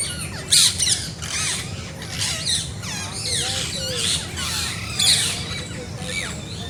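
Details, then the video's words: A flock of parrots in nature calls noisily, with harsh, scratchy squawks, rising and falling whistled notes, and loud bursts near the start and end, many birds overlapping throughout. "Peaceful Parrot Chirping in Nature"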